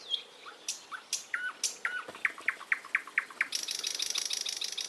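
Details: Quick series of bright, downward-slurred whistled notes, about two per second, rising in pace, then giving way to a thin, fast, high-pitched rattling trill.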